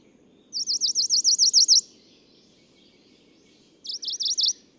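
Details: Male Tokara leaf warbler singing on Nakanoshima in the Tokara Islands, Japan, June 2017: a quick series of about ten high, ringing zigzag notes, a pause of two seconds, then a shorter burst of five similar notes over faint low hum.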